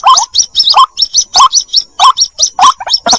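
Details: White-breasted waterhen chick calling its mother in a 2021 lure recording. Short rising yelps come about twice a second, alternating with high, thin chip notes.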